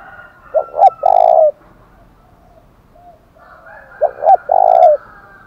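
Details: 'Thổ đồng' style challenge cooing of a spotted dove, used to spur fighting: two repeated phrases of two short hooting notes and a sustained, soft, slightly falling coo, separated by a few seconds of near silence.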